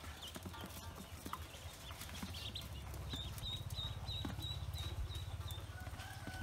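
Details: A run of quick high peeps from newly hatched Pekin ducklings on a farm, densest in the second half, with a loud low hum and clicks.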